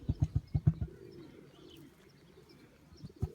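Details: A male emu in an animal park just outside Melbourne gives its usual low rumble: a quick series of deep, thumping pulses in the first second, then quiet, with a few more low thumps near the end.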